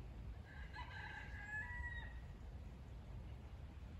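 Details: In rural Nottinghamshire at the end of November, near alpacas that have just been fed, a distant rooster gives one drawn-out, hoarse crow of about a second and a half over a steady low rumble of wind.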